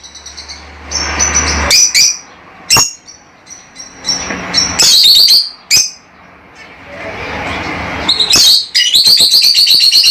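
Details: Lovebirds, small parrots, giving loud, high chirps and screechy squawks in bursts with brief quieter gaps, dense rapid chattering around the loudest moments, a low hum at the start.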